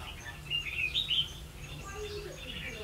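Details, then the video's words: Decoy red-whiskered bulbul singing during bird trapping in Vietnam on 16 October 2016; a quick run of sharp, slurred whistled notes, then quieter chirps from other birds and a faint low hum. "Bẫy chào mào mau mỏ"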